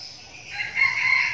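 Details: Crow of a young decoy red junglefowl kept in Bình Phước, Vietnam: a strained, nasal note rising and then held, partly cut off, over a low insect hum.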